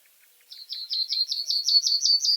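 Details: Reed bunting song: after a short pause, about nine sharp, high repeated notes, each slightly louder than the last, delivered steadily at roughly five per second. The phrase is cut off mid-series.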